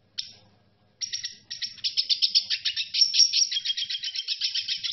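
A red siskin sings a fast, high, twittering song of buzzy trills and chirps, about four notes a second, with no other sounds.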